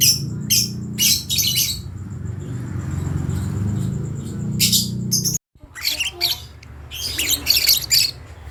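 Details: Lovebird chick learning to make sounds: clusters of harsh, high squeaky chirps separated by pauses, with a brief cut to silence midway and a faint steady high whine.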